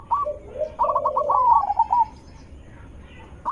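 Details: Lure song of a zebra dove: a short low coo, then a fast rattling string of clipped, bubbling notes swelling louder before stopping abruptly.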